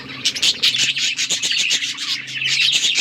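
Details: Several budgies chirping while playing with each other, October 30, 2023; rapid twittering chatter with sharp clicks and ticks scattered through, over a faint low hum.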